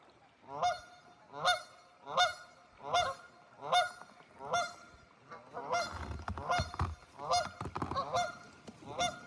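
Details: Canada geese on a cold Wisconsin river giving repeated harsh, nasal honks about once a second; later in the series several birds overlap and a low rumble of water or wind joins in.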